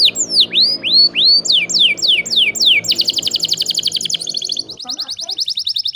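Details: Canary singing over faint low background hum: arched whistled notes in series, then a fast dense rattling trill, used to encourage silent canaries to sing.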